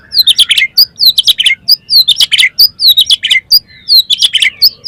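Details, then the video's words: Oriental magpie-robin song used to get other magpie-robins singing: loud, fast series of sharp downslurred whistles and chips, repeated in tight clusters with brief gaps throughout, bright and piercing. "PANCINGAN KACER BOCOR ALUS ‼️ NGEPLONG BIKIN GAIRAH KACER LAIN CEPAT BONGKAR ISIAN"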